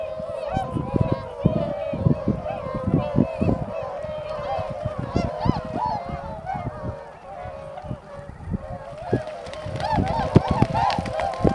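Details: A large flock of tundra swans gathered at Shiozu-hama on Lake Biwa on 3 March 2012, shortly before their northward migration, calls continuously with overlapping mellow, bugling honks and constant rapid chatter.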